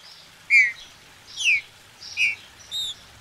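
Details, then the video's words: Captive green-winged saltator in Brazil, recorded for warming up birds to sing: four separate short whistled notes, each bending downward, spaced roughly half a second apart against a quiet background. "Esquente seu trinca"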